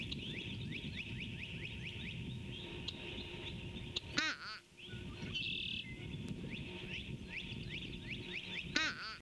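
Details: Fish crow on a Skidaway Audubon nest cam, 26 Feb 2019 around 9:20 am, gives two short nasal "uh-uh" calls about four seconds apart in the background, over chatter of smaller birds and a low rumble.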